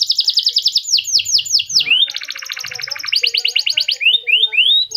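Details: An F1 canary sings its unique patterned song, meant to set other canaries singing. A fast run of bright downslurred notes gives way to a long buzzy rattling trill, then rising whistles.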